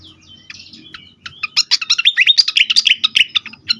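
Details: Agitated fantail, a recording used to lure and stimulate other birds: a few thin whistles, then a dense fast burst of high chirps and twittering notes tumbling over one another.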